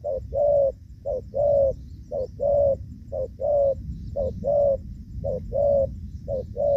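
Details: Spotted dove decoy used for trapping in the rainy season, 23 July 2024, giving the 'gù vấp' coo style: low hollow coos in short-then-long pairs, repeated about once a second, over a steady low rumble.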